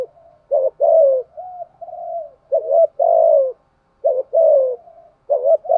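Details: Lure spotted dove cooing to incite rival males, delivering paired short notes and longer descending coos linked by quiet throaty murmurs, phrases following each other with brief pauses.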